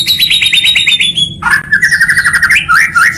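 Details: Competition song material for white-rumped shama (murai batu): a fast, evenly repeated high chirping trill, then a sudden switch to a string of quick whistled slurs rising in pitch, over a low background hum.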